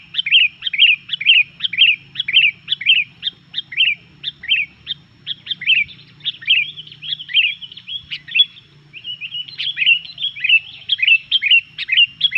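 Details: Noisy Sooty-headed bulbul song used to agitate other bulbuls: short bubbly phrases repeated roughly twice a second for the whole stretch, each a quick chirp sliding downward, over a steady low hum.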